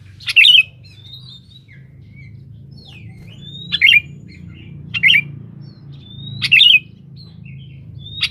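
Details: Sooty-headed bulbul singing hard to summon a rival: short liquid chirpy bursts every one to two seconds, linked by thin upslurred whistles, over a low steady hum.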